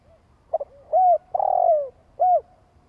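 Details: Long coo of a spotted dove, used to excite a decoy bird: a faint lead-in note, a quick double note, an arched coo, an extended pulsing coo falling in pitch, and a closing arched coo.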